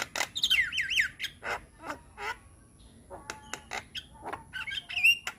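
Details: Energetic young Javan myna delivering a training song full of fills: a wavering looping whistle, then harsh squawks, chattering rasps and a bright rising whistle near the end.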